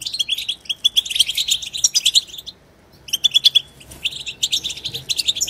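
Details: European goldfinch chorus meant to stimulate other goldfinches to sing: quick runs of bright, high twitters, a short silence past halfway, then a fresh burst of chattering.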